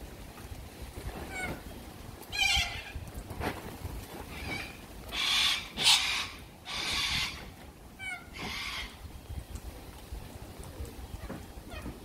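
A little corella gives harsh, raspy screeches in short bursts every second or two, with a low background rumble and a few faint chirps.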